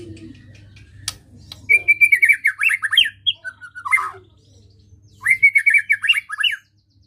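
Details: Murai batu, the white-rumped shama, in ketrekan song meant to excite emotion: two bursts of fast, buzzy, stuttering notes with descending slurs between them, separated by a short pause, then silence.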